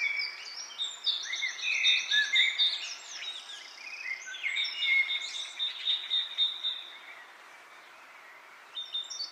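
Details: Mixed chirps from several birds, with stacked high trills, sweeping whistles and a steady rattled series, fading to near quiet before a last brief chirp.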